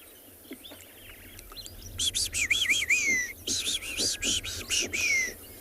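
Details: Wattled starlings give high, squeaky, wavering calls with rising and falling notes in quick bursts, amid other morning birdsong on a 26 September sunrise in Tswalu Kalahari Reserve, South Africa, over faint low background rumble.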